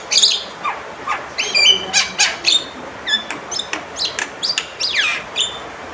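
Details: Male Javan myna calling loudly and insistently: a rapid series of sharp, clipped chirps and squeaky notes, some sliding downward, repeated almost without pause, over faint background hiss.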